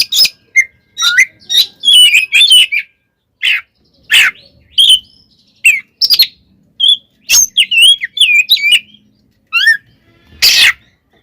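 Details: Oriental magpie-robin giving its 'tarung konslet' fighting song, meant to anger rival magpie-robins: rapid, varied high whistles, warbled twists and scratchy chattering notes in dense bursts, with short silent gaps.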